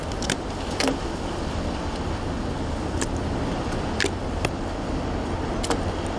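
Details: Steady road traffic hums in the background while a handful of sharp clicks break through at irregular moments, with no animal calls standing out.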